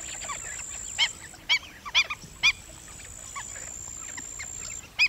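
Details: Black-winged stilt giving sharp, nasal, yapping notes in short bursts, the loudest spaced about half a second apart, with fainter answering calls from other birds behind and a steady high-pitched whine running through most of the recording.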